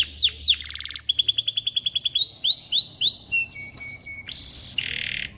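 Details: Male canary song used to teach chicks and prepare females for breeding. Varied tours: quick descending notes, a buzzy trill, rising whistled slurs, flat piping notes and a final harsh buzz.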